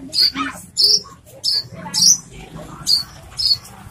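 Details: Branjangan, Horsfield's bush lark, singing loudly. Sharp, squeaky high notes come in separate bursts roughly every half second, some with a lower buzzy tail, against a quiet background.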